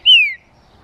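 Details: [['A single green-winged saltator note from a song meant to stimulate other saltators: one bright whistle that rises briefly then glides down, followed by silence.']]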